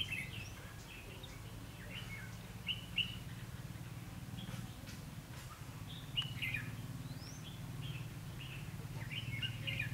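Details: During trapping with a caged decoy on 19 January 2016, a red-whiskered bulbul sings its fighting song: quick chirping phrases, some rising, repeated irregularly through the clip over a constant low droning background.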